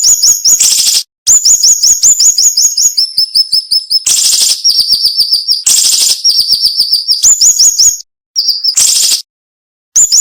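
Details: Song of a cinnamon-bellied flowerpecker, used to tutor songbirds, sharp and tightly spaced: long fast runs of piercing slurred whistles and high ticks interrupted by several harsh rasping bursts and a couple of short silences.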